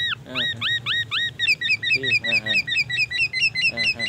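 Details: Black-naped oriole in energetic song, imitating magpie robin and ambulance siren: fast run of bright upslurred whistled chirps, several per second, with brief lower nasal notes mixed in and a constant low hum.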